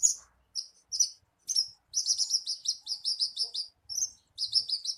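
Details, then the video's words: Javan bushlark lure song meant to get a captive bird singing often: bursts of high, thin chirps and sweeping notes in quick clusters, separated by short pauses, with no other sounds. "SUARA PANCINGAN BURUNG BRANJANGAN AGAR CEPAT GACOR"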